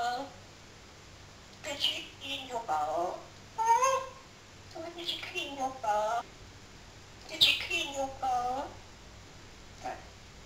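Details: Talking parrot mimicking human speech indoors, a run of short voiced word-like phrases with clear harmonics, delivered in bursts separated by pauses, against a quiet room background.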